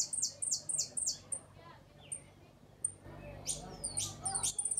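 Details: ['Hooded siskin from Uruguay singing the repique, golpe and pito style. A short run of quick, high, descending notes opens, then isolated ticks. Buzzy, sweeping slurs and a patter of tiny high notes follow.']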